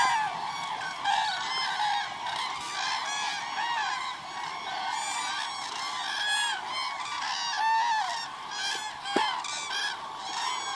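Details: A large flock of cranes at Agamon Hula, Hula Valley, on 30 December 2014, keeps up a dense, overlapping chorus of rolling, trumpeting calls, many birds calling at once without pause.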